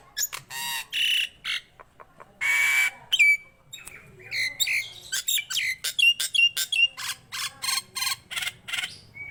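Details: Nias hill myna singing actively, mixing harsh rasping squawks with clear whistled slurs and quick clipped notes in an irregular, varied sequence.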